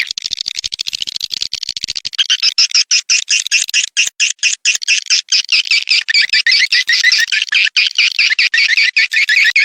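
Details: Swiftlet birahi (mating) call used as a 2023 'Lintas Senja' lure to attract swiftlets: a fast, even rattle of clicks giving way to dense, rhythmic buzzy twittering chirps repeated more than twice per second.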